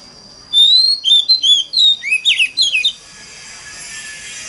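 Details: Oriental magpie-robin delivering a forest-style lure song to set off other magpie-robins: after a faint start, a burst of sharp whistles and rapid down-slurred chirps lasting about two and a half seconds, then hissing background.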